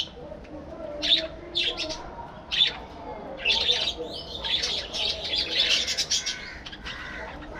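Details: Captive budgerigars in a breeding colony start with scattered single chirps, then build into a continuous run of warbled chatter.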